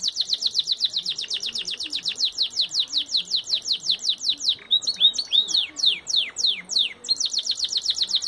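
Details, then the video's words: A Belgian canary in full song sings a long, fast run of high, bright trilled notes, about seven per second, breaking into varied chirps and rolls midway before resuming the rapid trill. "Canario belga dando uma palinha"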